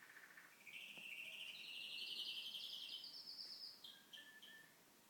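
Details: Home canary singing a loud, rising, rolling trill that swells and holds high for about three seconds, then breaks into a few short, lower chirps.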